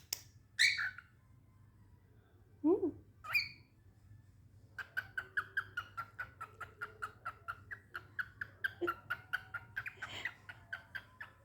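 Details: A pet cockatiel in play mode, mimicking, chatters and whistles in quick, bright bursts, then rattles off a rapid run of chirps.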